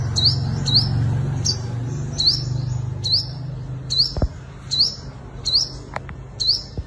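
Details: {'caption': 'Sunbird singing its fighting song as a trapping lure: a series of sharp rising whistled notes, one roughly every 0.7 seconds, over a low rumbling hum and a few clicks.'}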